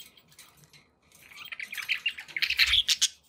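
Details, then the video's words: Pet budgerigars, said to be happy, with soft chatter swelling into rapid squeaky chirps and warbles toward the end, over background hiss and a low thump. "happy budgie sounds"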